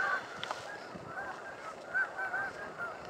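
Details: A flock of thousands of Canada geese gathered along the Salmon River near Truro on March 22, gives scattered nasal honks that rise over a steady murmur of more distant calling.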